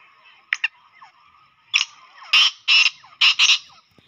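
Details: Black francolin call meant to attract francolins quickly and get them excited: two short clicks, then a loud grating phrase of four or five harsh, buzzy bursts that grow louder. Faint bird notes sound in the background.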